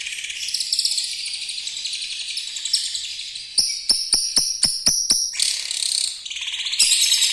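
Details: Lovebird singing a rough-voiced, long chattering song with canary-like fills, used to tutor young lovebirds. Continuous high buzzy chatter, then a run of about seven sharp clicks midway, followed by more shrill chattering.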